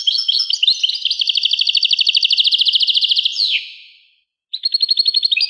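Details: Rapid, metallic trilled series from a European goldfinch, notes repeated quickly for over three seconds, ending in a falling slur, then a brief pause and another twittering burst.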